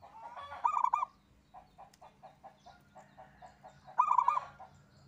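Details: Single local zebra dove singing vigorously: two loud bursts of clipped, hollow notes about three seconds apart, with soft repeated pulsing coos from other doves in between.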